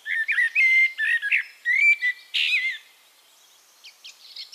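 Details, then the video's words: Eurasian blackbird singing in Castricum, the Netherlands: a run of mellow, rich whistled notes and warbles in quick succession, ending in a sharp high squeak, then soft distant twittering from other birds. "One Hour Relaxing Birdsong: Blackbird"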